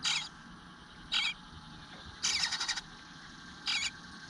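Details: Nest of eastern bluebirds, 25 June 2022 at 9:10 am, a nestling asking for food that does not come: four hissing, rasping high bursts, one longer and pulsing, over a constant low hum.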